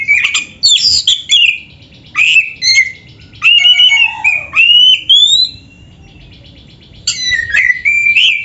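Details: Kept oriental magpie-robin in full song with filler phrases: scratchy squawks, twisting whistles and a clear rising whistle, broken by a pause of about one and a half seconds.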